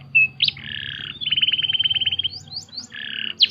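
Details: Canary song for training birds, a short whistle, buzzy harsh notes, a rapid rattling trill and a few sharp upslurred chips, somewhat quieter with a low hum behind.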